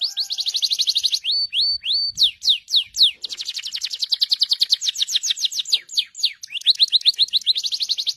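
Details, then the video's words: Moroccan canary song: fast metallic trills at high pitch alternating with slower, clear downslurred whistles, several tours changing pace, continuous throughout. "تغريد الكناري ما شاء الله"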